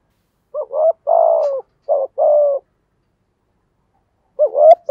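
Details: Spotted dove used as a lure bird, 'giọng thổ' voice style, cooing to prompt others: a short burst of low coos, paired notes and a sustained falling coo, then one more phrase after a pause.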